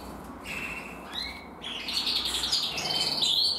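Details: Red-black canaries, two males of intensive and frosted type singing together; soft opening notes build into quick high trills and buzzy rolling phrases that grow louder.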